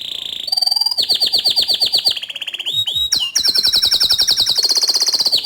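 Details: Bottle-green canary singing vigorously, used to tutor young and untrained canaries; rolling high trills of repeated notes, a swooping whistle near the middle, then a brisk, steady rattle to the end.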